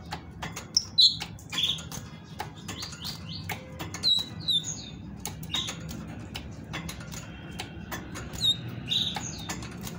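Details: Female great tit singing to prompt males into song: scattered high thin whistles and short slurred notes, irregular over ten seconds, with frequent sharp clicks and taps in the background.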